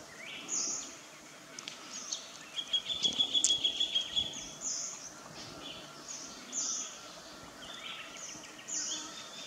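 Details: Swinhoe's minivet at Nam Nao: high thin calls repeated in short bursts roughly every two seconds, with one clear sustained whistled note near the middle; a quiet hiss of background noise throughout.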